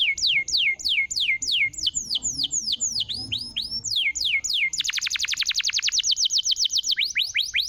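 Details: Lure song of a canary for a canary gone quiet: loud falling whistled notes repeated about twice per second, then a long very fast dense rolling trill and a few more falling notes.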